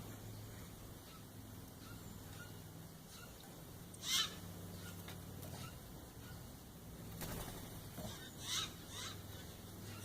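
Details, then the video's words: A Steller's jay family visiting in the morning (male, female and grown chick) gives a few harsh, raspy, nasal calls spaced several seconds apart, over a steady high hiss and low background rumble. "Steller's Jay family being mellow and making some of their strange noises."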